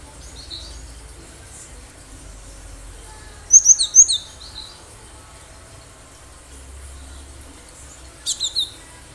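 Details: Wild cinereous tit in full song, used as a lure to draw other birds: two short bursts of very high, thin, sharp notes, each a quick cluster of three or four, separated by quiet hiss.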